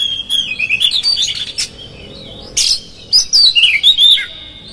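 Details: Oriental magpie-robin singing as a provoking lure: a fluid warbled phrase, a pause, a harsh burst, then a rapid bright whistled run with sharp up-and-down notes.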